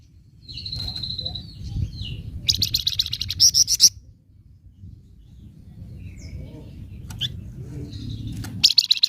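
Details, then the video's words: Flamboyan bird giving nyecret chatter, used to provoke other birds: a long high thin whistle, then two bursts of rapid, buzzy, high-pitched notes, and another burst at the end, over a low background rumble. "Flamboyan Nyecret Ampuh Memancing Emosi Burung Flamboyan Bahan"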